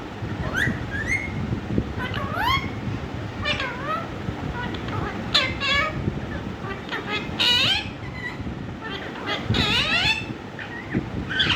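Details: Talking Indian ringneck parrot giving a long string of looping, bending syllables and quick up-and-down slurs, some high and squeaky, spaced irregularly over constant background hiss.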